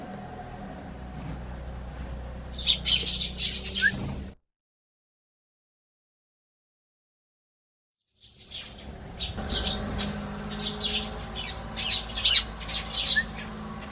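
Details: Garden Eurasian tree sparrows calling to their human from a bench near the house. Busy high twittering chirps come in two bouts separated by several seconds of silence, with faint low background rumble.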